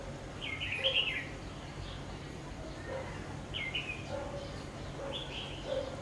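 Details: Trap decoy red-whiskered bulbul repeats lively, slurred, warbling phrases roughly every two to three seconds, each followed by softer lower notes, with steady low background rumble throughout.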